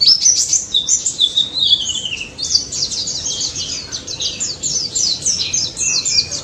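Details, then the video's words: Ngalas song of a white-eye (pleci daput), played as a lure for silent birds: a fast, unbroken stream of thin, high twittering notes, with rapid zigzag chips and a few longer sliding whistles. "NGALAS MAUT‼️ BURUNG PLECI DAPUT GACOR NGALAS NEMBAK || PANCINGAN PLECI BISU DI JAMIN NYAUT"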